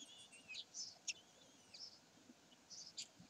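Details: Common kestrels at Sägeweg on 27 May 2020: thin, high squeaky notes and short wavering whistles come in scattered bursts, with a few sharp clicks in between over a quiet background.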